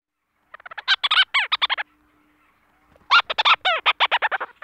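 Leach's Storm-Petrel gives two quick bursts of chattering, hooked notes, each a rattling run of about a dozen syllables, separated by a brief pause.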